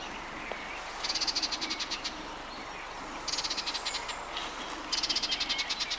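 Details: Harsh chattering calls of a Sardinian warbler, recorded in June 2011 in the Matarraña riverside woodland: three separate rapid ticking rattles, each about a second long, spaced by short quiet gaps.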